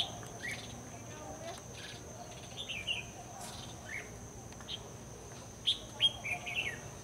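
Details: Late-afternoon song from a decoy red-whiskered bulbul calling wild birds toward a trap: clipped rising chirps, then a cluster of bright warbled notes toward the end, all over a continuous high-pitched insect whine.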